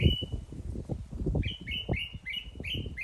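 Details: A bird repeats short upward-flicking whistled notes in quick succession against loud low thumping and rumbling noise.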